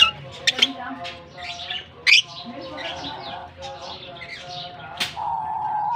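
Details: Colony of lovebirds let out for the summer season in Germany, chattering busily: rapid high squeaks and chirps with sharp loud bursts near the start, middle and end, plus a held whistled note late.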